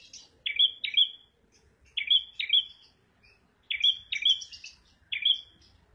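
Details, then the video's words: Prinia called red prenjak repeating sharp whistled notes in quick pairs, separated by short pauses, with faint high chirps in the gaps. "kicau prenjak merah / prenjak abang"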